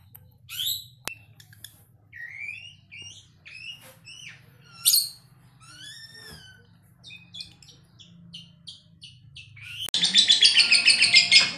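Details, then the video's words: Lovebird named as ambrol, mabung konslet, uttering spaced squeaky chirps and rising and falling whistled notes, ending in a sudden loud rapid trill. "Lovebird ambrol /mabung konslet"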